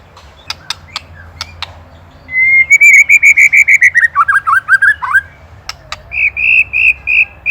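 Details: Master recording of a white-rumped shama from Indonesia for training songbirds: sharp clicks, then a long rapid run of pulsed whistled notes holding steady and dropping into quick wavering notes, ending with evenly spaced whistled notes.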